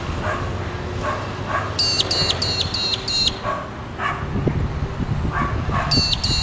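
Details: Australian Magpie-lark, or Peewee, tweeting: a burst of five sharp, ringing notes in quick succession, a pause, then two more, while a dog barks repeatedly in the background.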